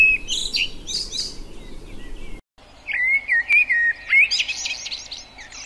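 Common Blackbird singing: a mellow, fluted whistled phrase that wavers up and down, followed by a high, squeaky twitter, with a brief silent break between phrases.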